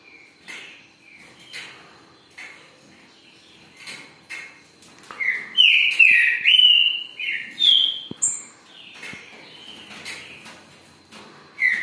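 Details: Green-winged saltator (trinca-ferro) giving a run of ringing whistled notes mid-clip, some rising and some falling, after quieter scattered chirps; faint clicks and background bird sounds come in between.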